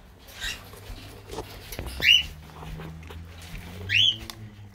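Parakeets giving sharp, rising chirps about two seconds apart, with fainter chatter between them and a low hum underneath.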